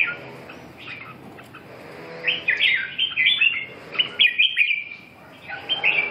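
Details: Red-whiskered bulbul pours out a lively burst of rapid, bubbling whistled notes for about three seconds, then a short pause and another phrase.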